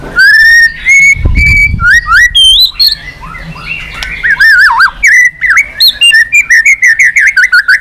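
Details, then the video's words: White-rumped shama song described as continuous 'tạch' calls for stirring up a shama in training; clear pure whistles, some rising, then wavering looping phrases, ending in a rapid run of short repeated whistled notes. "Chòe lửa tạch liên tục"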